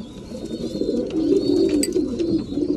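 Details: Indoor breeding pigeons during feeding time: a continuous swell of deep, rolling cooing, with a soft high whistle and one sharp click near the middle.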